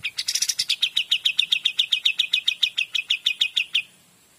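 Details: Pied Triller in full song, a rapid rattling trill of about twenty-two sharp, even notes over nearly four seconds. The first notes are higher and brighter, then the series settles into a steady chattering run before stopping abruptly.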